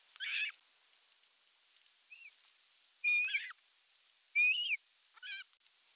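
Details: Osprey calling at a Satakunta nest in Finland on 19 July 2022 as the male comes in with a large fish: a run of five shrill, harmonic whistled calls, roughly one every second, the fourth the loudest and sharpest.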